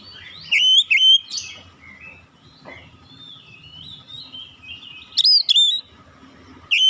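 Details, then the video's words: Oriental magpie-robin singing: bursts of loud, clear whistled notes sliding up and down, one phrase early, another near the end, separated by quiet gaps with a faint steady hum behind. "KICAUAN INDAH BURUNG KACER"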